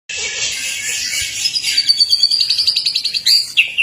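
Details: Male white-rumped shama courting a female, singing a dense run of bright high notes that turn into fast rapidly repeated buzzy trills, with a sharp upward flourish near the end.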